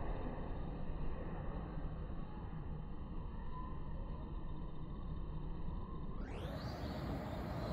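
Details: Dense low rumble with steady hum tones, and a sudden brightening of the noise near the end; no animal sounds.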